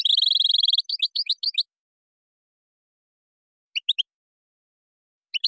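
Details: European goldfinch singing in Moroccan style, with gazarat and srrr bertbertio phrases: a rapid buzzy trill of about a second opens, then quick twittering notes. After a long silence come two brief bursts of sharp chirps.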